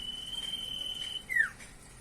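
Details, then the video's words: Common iora, locally cipoh, in energetic song: a steady thin whistle of over a second, then an abrupt loud note sweeping downward. "burung sirtu/cipoh gacor variasi"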